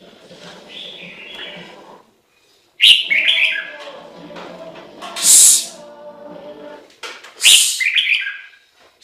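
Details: Chinese hwamei singing near a home in Japan: loud, high, clear whistled phrases in bursts separated by short pauses, with quieter chattering notes underneath.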